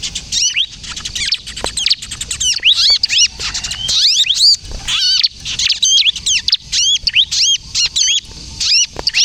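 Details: Bar-winged prinia in full vigorous kejepit song, used as a lure and to train untrained birds to sing: a long run of rapid high chirps and bending whistled notes, nearly continuous.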